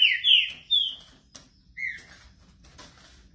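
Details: Green-winged saltator warming up its song, giving loud, clear whistled notes that slur downward in a quick opening phrase, then a lone whistle and soft clicks.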